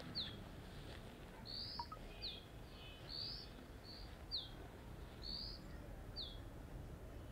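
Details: Perched on a deodar twig in the western Himalaya's Jabbarkhet sanctuary, a Dark-grey bush chat repeats a two-note loud call: a quick descending slur followed by a level high whistle, roughly one pair each second, soft rural background.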